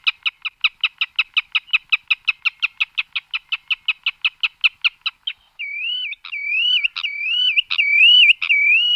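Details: Bird called kayra kheni pakhi in Bengali: about five seconds of rapid, evenly spaced sharp notes, roughly four per second, then a looping, warbling whistle rising and falling with brief clicks, on a clean silent background.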